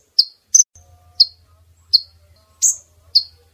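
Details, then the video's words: Female brown-throated sunbird lure call for attracting males to be caught. Sharp, high, downslurred chips, some doubled, repeat roughly every half second over a faint low hum. "Pemikat kolibri ninja jantan,||, suara konin betina!!"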